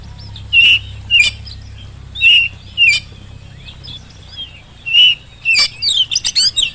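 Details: Oriental magpie-robin (kacer) in full song, used as a lure to get reluctant birds singing and answering; clear whistled notes repeated about every second, broken by sharp harsh clicks, ending in a fast, buzzy, chattering run.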